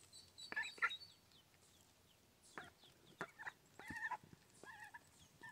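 Newly hatched mallard ducklings give short, high, piping peeps in quick, uneven bursts, several chicks calling over one another.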